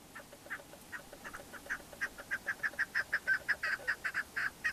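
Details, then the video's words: Chukar partridge in the Pamir mountains of Tajikistan, 2021: a run of short, harsh chuck notes that quicken and swell in loudness, reaching about three per second, over faint background hiss. "Горная Куропатка (Кеклик)в Памире Таджикистан 2021 Keklik Partridge sesi in Tajikistan"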